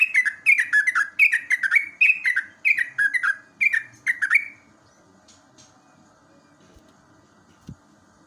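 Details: Yellow-vented bulbul, a natural wild bird's song used as a morning training recording to prompt bulbuls to sing, gives a rapid run of about a dozen bubbly, down-slurred chirps over four seconds, then falls quiet with only faint background noise.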